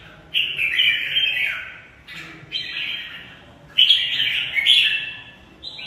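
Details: Caged red-whiskered bulbul in a fighting/singing contest gives three bright, warbling whistled phrases, each about a second long, tumbling up and down with short pauses between. No other sounds.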